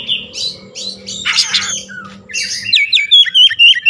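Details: Oriental magpie-robin song packed with Javan myna (jalak kebo) mimicry. A rough, harsh squawking burst gives way to a fast series of clear, wavering whistles repeated more than twice a second. Low hum in the background.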